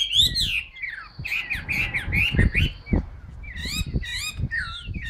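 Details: Chinese hwamei in a cage, newly moulted, giving bursts of loud looping whistles and harsher slurred notes, partly masked by thumping and rumbling background noise.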